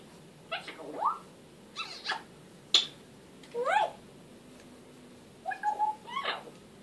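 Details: African grey parrot talking: a quick run of harmonic, voice-like sweeps, some rising and some falling, with a sharp click and a level whistled note near the end.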